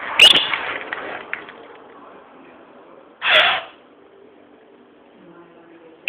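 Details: A pet rainbow lorikeet, angry when a pair of keys is around, gives three short, harsh, rasping screeches a few seconds apart, with quiet chatter and faint room noise between.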